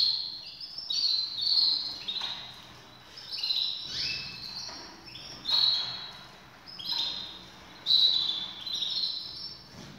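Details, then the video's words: Several caged canaries ready for breeding; repeated short bursts of high, bright trilled phrases every second or two, rising and falling in loudness, over soft background noise. "طيور الكناري كلها جاهزة للتناسل"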